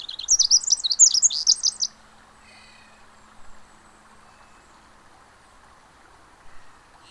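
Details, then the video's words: At the Mamquam Spawning Channels, a Pacific wren gives a brief burst of very fast, high, jumbled trills lasting about two seconds, followed by quiet with a low hum of flowing water. "Pacific Wren"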